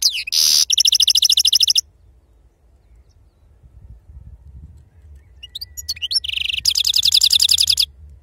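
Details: European goldfinch, sarfati wild song style. A rapid buzzy trill of evenly repeated high notes opens, then a few seconds of near silence, then a metallic note leading into another long, fast trill.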